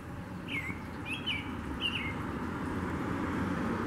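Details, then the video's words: An American robin gives three short, slurred whistled notes about a second apart, over a steady low rumble of distant traffic. "Red Robin Mating Calls"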